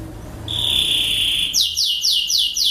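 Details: Lancashire canary, an English breed used to teach young canaries, holding a pure high whistle for about a second, then breaking into loud repeated downward-swept notes at a brisk, steady pace.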